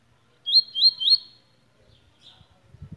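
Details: Three quick, clear upswept whistles from a tui in close succession, then near silence with a faint note and some low thumps at the end.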